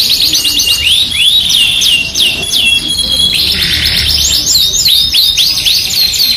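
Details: Yorkshire canary in energetic song for use as a canary tutor. Quick upward-swooping whistles repeat in series, broken by a buzzy rattling passage and then rapid looping chirps.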